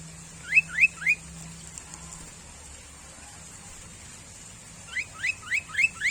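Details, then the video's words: Sooty-headed bulbul, a bird easily found close by, giving three quick rising chirps, a pause of several seconds, then a run of five similar upswept notes, with a low hum and high drone behind. "SUARA BURUNG KUTILANG - BURUNG CANGKURILENG"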